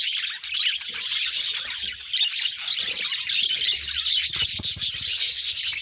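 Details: A budgerigar group of various mutations warbles and chirps in a constant high chorus. Scratchy notes mix with clearer squeaks, and a faint low hum sits underneath in the second half.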